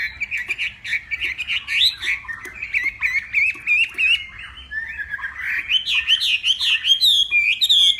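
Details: Northwest Vietnam Hwamei in a morning singing contest, delivering a long, rich, varied warble of quick looping whistled notes that grows louder and higher toward the end, with faint clicks behind it.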